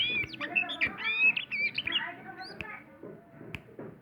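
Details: Sumatran white-rumped shama, a kept bird, singing a rich varied song of whistled and warbled phrases, rapid slurred notes rising and falling, with a few sharp clicks and a low background hum.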